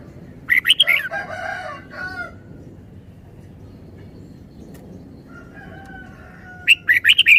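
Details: Two brief, lively chirping phrases from a red-whiskered bulbul at the start and end, separated by a drawn-out harmonic call over constant background hiss.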